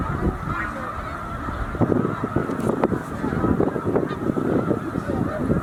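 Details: Migrating snow geese, a flock near 100,000 strong, at Middle Creek wildlife refuge; a constant rumbling chorus of honks, with sharper individual calls standing out in the middle and later seconds.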